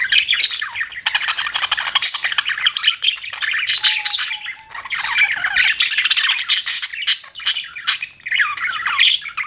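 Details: Continuous chirping from pet budgerigars, with fast, scratchy, warbled chatter full of slurred squeaks and short buzzes. A faint level whistle appears briefly in the middle.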